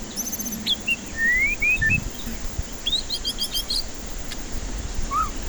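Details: Lure recording for a stressed, silent white-rumped shama: a rising whistled slur, several short sweet notes, then a quick run of bright high chips and a final low whistle, with hiss and low rumble behind.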